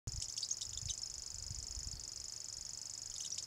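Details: A first-calendar-year male Common grasshopper warbler at Voksa, Norway, reels without a break, a high, dry, insect-like trill of rapid even ticks, with playback of an adult male in the background, over low wind rumble and faint chirps.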